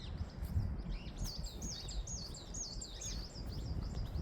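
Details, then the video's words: Great tits singing by a river where they are always heard, likely nesting in tree holes; a quick run of high, thin down-slurred notes repeated several times over heavy low rumble of wind and outdoor noise. "But this is the area where the great tits are always singing."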